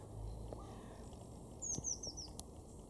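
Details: A European robin in a garden in Weener, East Frisia, northwest Germany, in October 2022, gives a quick run of four thin, very high notes, each slurring downward, over a steady low rumble of background noise.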